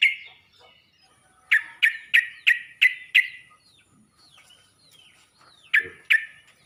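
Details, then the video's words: Yellow-vented bulbul calling other bulbuls: a burst of harsh, rasping chirps repeated about three per second, a quiet stretch with faint soft notes, then two more rasping calls. "Burung trucuk ini pandai memangil burung trucuk lain"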